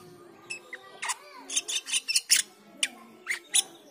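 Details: Chattering of a black-winged myna, played to train the cucak keling: rapid scratchy notes in quick uneven bursts over a steady background hiss and hum.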